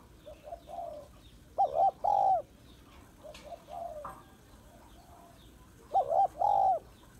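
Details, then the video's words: Female spotted dove calling to stir males, two phrases about four seconds apart, soft low coos leading into a loud double hoot, faint twittering of small birds in the background. "Cu gáy mái kích trống/ tiếng cu gáy mái kích trống hay"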